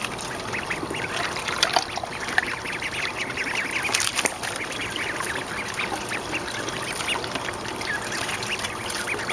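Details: Growing mallard ducklings at 29 days in a school courtyard in spring, with food and swimming water provided; a busy stream of brief, high chirping peeps, some overlapping, set against constant splashing and trickling water.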